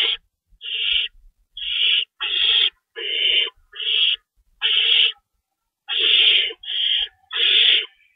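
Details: Owls calling at the nest while being fed, 3:53 AM, 25 March 2012, with two rabbits stored; about ten hoarse, hissing screech bursts at irregular intervals, with faint low knocks.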